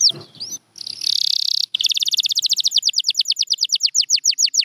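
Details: A few looping whistled notes from a champion canary, a short pause, a dense buzzy roll, then a steady, rapid series of sharp descending high notes that continues to the end.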